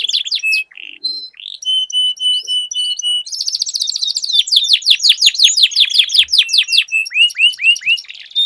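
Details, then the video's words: Canaries duelling in song: short whistled phrases and steady flat tones, then long fast trills of descending sweeps, ending with clear, slower falling whistles. "Duel Burung Kenari Suara Merdu Ngerol Panjang"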